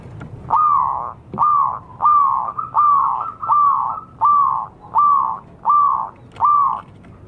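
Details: Zebra dove, a wild local bird, calling as a lure: strong, clear, slightly falling cooing notes repeated steadily, under one per second, over faint low rumble.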